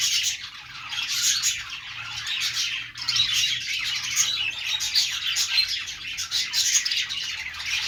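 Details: Pet budgerigars, described as happy and singing, giving a dense, continuous stream of high chattering chirps and warbles from several birds at once, with no pauses, recorded indoors.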